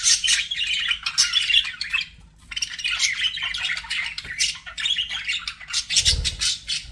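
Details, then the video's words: Pet budgerigars in a lively chorus of squeaky chirps and rasping squawks, a short lull after the first two seconds, then the chatter resumes, with a low knock just before the end. "BUDGIE SOUNDS"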